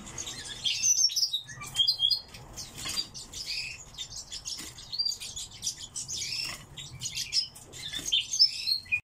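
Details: Pet song thrush kept indoors, singing high, sharp chirps and squeaky whistled phrases in quick bursts, some short figures repeated, with brief pauses between groups.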